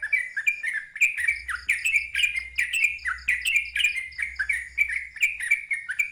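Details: Sooty-headed bulbul singing loudly in the nonstop ngeropel style with a wild-type voice: bubbly, slurred notes falling and rising, repeated about twice a second without pause, over a faint low hum.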